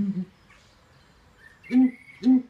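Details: Male southern ground hornbill at Birdland, Bourton-on-the-Water, Gloucestershire, giving his booming mating call to woo his mate: one low hollow hoot, a pause, then three more booms about half a second apart, with a faint thin whistle behind.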